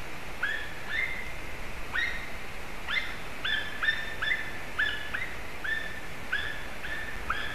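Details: White-tailed eagles (Haliaeetus albicilla) at Durbe, Latvia, making strange sounds: a long series of high, yelping notes with a slight upward inflection, roughly two per second, over a steady low rumble of wind.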